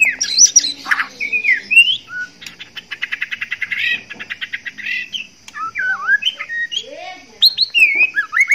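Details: A male white-rumped shama in breeding condition, courting, sings rich, varied whistles with rapid chattering trills and clicks, mixing sweet rising and falling phrases with harsher notes.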